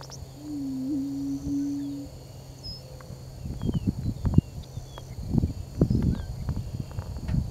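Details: Attwater's prairie chicken booming in courtship display at the Attwater Prairie Chicken National Wildlife Refuge in Eagle Lake: one low, hollow, steady moaning tone lasting about a second and a half, followed by low rumbling bursts and faint high chirps of other birds.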